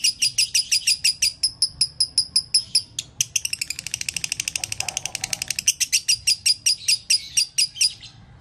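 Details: Lovebird giving a dobelan call, a doubled rapid series; high sharp chirps repeated about five per second, speeding into a dense fast rattle midway, then slowing again.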